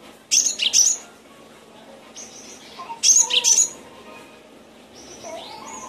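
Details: Training recording of a Cinereous tit: sharp, buzzy clusters of high notes come about every three seconds, with thin fainter whistles and a low chattering background between the bursts.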